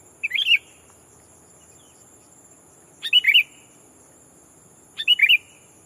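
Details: A decoy sooty-headed bulbul calls to provoke a rival and bring wild bulbuls near: three short, liquid, rollicking phrases roughly every two and a half seconds, each opening with a sharp click, with a constant thin electronic tone behind.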